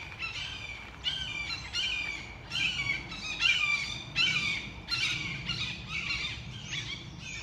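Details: Red-shouldered hawks in a Connecticut woodland sanctuary give harsh, screaming kee-aah alarm calls slurring downward, repeated about every second in an agitated overlapping series near their nest, angry about something, over faint outdoor noise.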